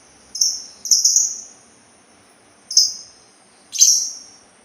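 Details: Sultan tit giving four high, thin whistled notes, each sliding down and fading, the first two close together and the last two spaced about a second apart, over a quiet background.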